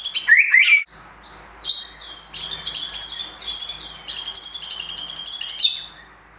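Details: White-rumped shama singing during a simulated contest, with imitations in its song: a twisting whistle, a pure high note, then long runs of rapid, buzzy, repeated high trills ending in a rising whistle.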